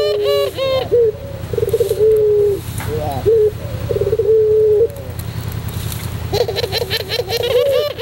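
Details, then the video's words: Cooing of a white Barbary dove in the pelung style, used as a tutor recording: deep rolling coos and long sustained notes with brief pauses between them, over a steady low hum. "masteran puter pelung putih manggung"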